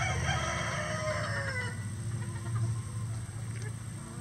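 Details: On a farm keeping at least twenty standard and bantam roosters that crow all day, a distant crow fades with a falling tone in the first second and a half. Noisy low rumble follows.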